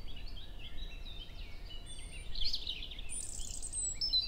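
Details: European robin singing in a forest in early May at 7 in the morning, near Hoher Peißenberg, with a female nearby; thin, high, rapid warbled phrases and trills drifting over steady low background rumble, with some very high squeaky notes.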